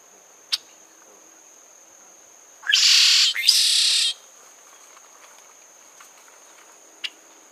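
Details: A Red-shouldered Blackbird (Agelaius assimilis) gives two harsh, buzzy rasps in quick succession, each about half a second long, with a thin steady high whine and two faint clicks behind.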